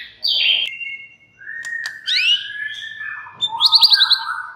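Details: White-rumped shama song meant to provoke other shamas into singing: a loud high whistle, then a long level whistled note, a rising slurred phrase, and a quick trilled burst ending on lower warbles.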